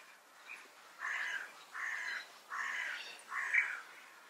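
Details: Bee-eaters (European) exchanging "prüt" contact calls, one answering another to say everything is fine; four rolling, burry calls, each about half a second long, evenly spaced roughly every 0.8 seconds.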